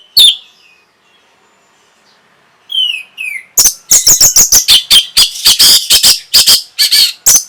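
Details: Orange-headed thrush singing, used to stimulate breeding condition and answering: a few falling whistled slurs, then a long rapid series of loud sharp notes repeated about twice per second.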